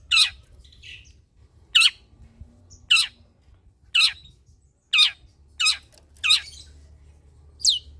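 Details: Long-tailed shrike giving loud, rasping, scratchy calls, each burst under half a second, repeated about every second eight times. The recording is used as a lure to get lazy shrikes singing; faint low hum behind.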